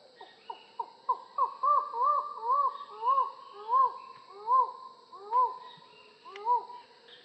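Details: Collared forest falcon delivering a long series of about fifteen hooting notes that begin short and rapid, then grow longer, louder and slower, each arching up and falling away, with faint birds behind.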